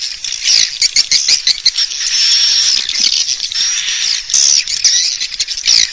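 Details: High twittering of swiftlets, played to lure them into a bird house to roost: rapid chirp bursts alternating with thin, drawn-out whistled notes.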